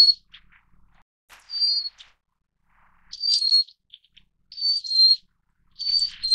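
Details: Little Forktail of the Taiwan endemic subspecies Enicurus scouleri fortis, a bird of mountain streams and riverside rocks: thin high whistled calls, each a sharp note sliding slightly down, repeated about every one and a half seconds, with faint soft chips between.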